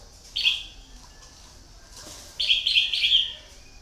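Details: Red-whiskered bulbul, a decoy bird kept for luring, giving a bright clear note near the start, then a quick run of three or four rich warbled notes after a pause. The background is otherwise quiet.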